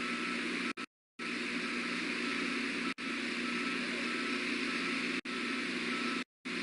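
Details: Steady broadband hiss with a faint engine-like hum, cut by several brief silent dropouts, with no animal voice heard.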